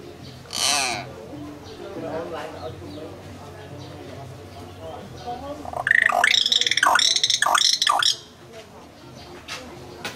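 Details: A common hill myna speaking Khmer: a sharp squawk, then a loud two-second run of voice-like, nasal syllables with clear pitch changes.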